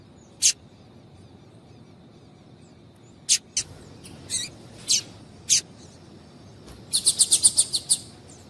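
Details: Calls of a female double-collared seedeater, played to get males singing: isolated high, clipped notes spaced a second or more apart, ending in a fast run of about seven rapid ticking chirps.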